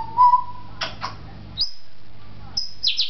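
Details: African grey parrot, a talking bird kept at a pet shop in Beit Hanina, Palestine: a steady mid whistle, then sharp clicking bursts and high thin upward whistles, with a low indoor hum beneath.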